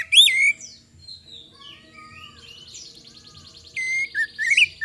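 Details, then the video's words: Magpie-robin lure song to make other birds answer: one loud looping whistle, soft thin notes, a buzzy trill, then a few bright whistled slurs at the end. "PANCINGAN KACER GACOR AGAR CEPAT RESPON, PANCINGAN KACER BAHAN"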